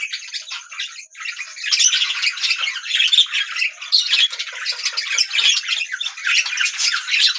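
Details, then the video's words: Pet budgerigars keep up a busy overlapping warble, a thick unbroken mix of scratchy chirps, clicks and bright squeaky notes that briefly dips before swelling again. "budgie parrots singing"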